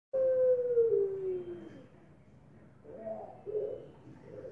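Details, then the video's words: Breeding puter pelung dove calling at night, its voice likened to a wolf's howl: a long, drawn-out, slowly falling tone lasting nearly two seconds, then softer, lower wavering notes. "Suara Indukan Puter Pelung Mirip Auman Srigala Bunyi Malam Hari"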